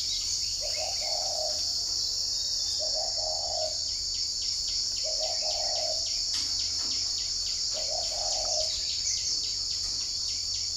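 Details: Spotted dove at a bird farm in Ba Vì, Hanoi, Vietnam, cooing on a morning; four soft, low, blurred coo phrases about two seconds apart, half buried under a loud steady high insect drone.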